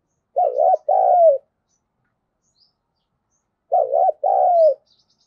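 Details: Spotted dove kept as a decoy, cooing to stir other doves into calling: two identical phrases about three seconds apart, each a low wavering double hoot followed by a drawn-out coo that slides downward.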